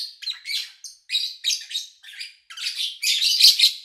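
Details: Lovebirds in an owner's home, recorded in August 2019. Buzzy, squeaky chirps start spaced apart, then build into a loud, continuous chattering run toward the end.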